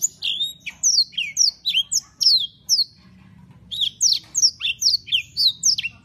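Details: Canary singing gacor: two bursts of loud, high, down-slurred chirps, several per second, separated by a short pause filled only by a low background hum.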